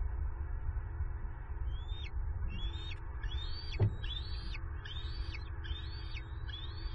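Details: Bald eaglets on their nest in Southwest Florida at dusk on 14 March 2023, squeeing in hope of a late food delivery as the adult male flies in. About eight thin, rising-then-dropping whistles come at steady intervals over a low constant hum.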